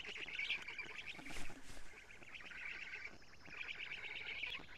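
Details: Black stork nestlings in Estonia, nest camera, 14 June 2017 at 07:47, female feeding them lampreys; rasping pulsed chatter comes in bursts, broken near the middle by dull low thumps and bumping at the nest.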